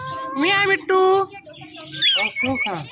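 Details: Pet talking parrot producing two strong harmonic, voice-like syllables, followed by sharper chirps and a quick downward-sweeping note, with a low steady hum behind.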